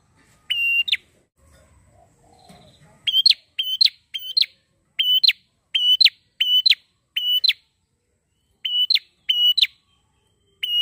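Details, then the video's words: A prinia, in a recording used as a lure for birds, gives sharp, high chipping notes in quick pairs and triplets, repeated steadily with brief pauses; a faint low rumble is heard early on. "PRENJAK GACOR!!"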